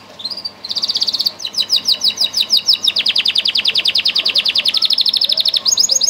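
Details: Canary of a line bred for sweet song giving a loud, high, fast trill of sharply repeated chipping notes, the tempo shifting between tours, about three notes per second at its quickest.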